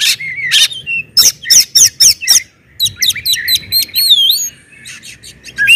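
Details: Oriental magpie-robin singing loudly to provoke other magpie-robins into song; rapid bursts of harsh chirps alternate with clear whistled, wavering notes and upslurs, about four elements a second, loud and close.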